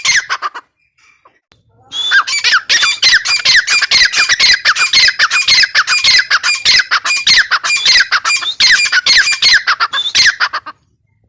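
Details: Female grey francolin (teetar) giving a long, fast run of harsh, scratchy squawks after a short quiet start, the notes tumbling out almost continuously for about nine seconds before stopping abruptly.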